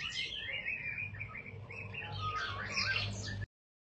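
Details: White-rumped shama fledgling, eight days old, giving a busy jumbled song of warbled whistles and twittering notes that grows richer toward the end, over a steady low mechanical hum; it stops abruptly before the end.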